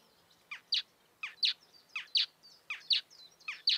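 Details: Wild marsh warbler giving spaced paired notes, a rising scratch followed by a sharp bright chip, repeated about every 0.7 seconds, with faint high twitters between and a quiet rural background.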